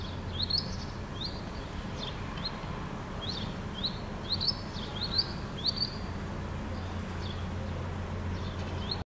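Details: Unidentified bird singing in Helsinki, Finland, seemingly mimicking house martin sounds: a series of short, thin, high chirps repeated roughly every half second over steady low traffic-like rumble.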